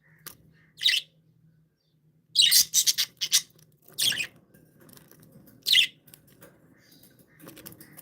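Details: Happy, playful pet budgerigars chirping: short bursts of scratchy, buzzy chatter spaced irregularly among quiet gaps, with a low steady hum underneath.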